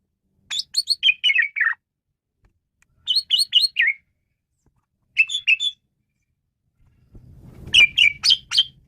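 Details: Male Asian pied starling in varied song, used to lure birds: rapid series of sharp descending chirps in three separate bursts, then a final loud chirping run over low rumbling background noise.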